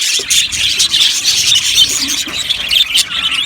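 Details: Budgerigar colony chattering in an aviary, with busy overlapping high chirps and squeaky bursts coming in quick succession.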